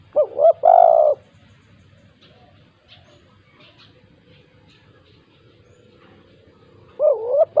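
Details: Energetic 'kuk 2' calling of a spotted dove, played to stir quiet doves into sound: a short double coo and a long falling note, a long silent gap, then the phrase starting again.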